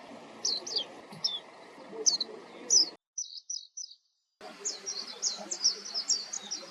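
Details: Warbling white-eye (Zosterops japonicus) giving thin, high chirps, then a few clipped notes and a fast twittering run; low background rumble throughout.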